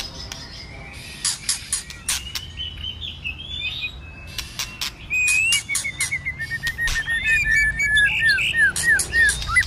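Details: Fighting song of a White-rumped shama in the cold season, in many voices: soft scattered notes and clicks at first, building into a fast, even series of short hooked whistles near the end.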